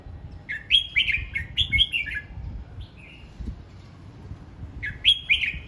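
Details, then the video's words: Red-whiskered bulbul practising its song: repeated bright, bubbling whistled phrases of quick slurred notes, one cluster after another for two seconds, a pause with a soft whistle, then another phrase at the end; low rumble beneath. "Chào mào hót luyện giọng"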